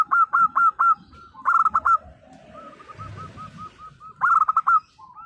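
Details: Local zebra dove in full song, loud rolling coo bursts with a quick stuttering trill, given three times, with soft, evenly spaced lower coos running between the bursts.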